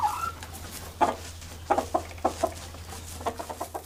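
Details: Farm chicken clucking among farm animal sounds for toddlers: short, soft, low clucks come in uneven bursts, with a quick cluster near the end, over a steady low hum.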